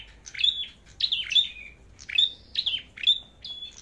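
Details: Bright, high red-headed flowerpecker song in competition style. Dense phrases of sharp chips slide down into short steady whistles, about five phrases repeating at a brisk pace over faint background noise.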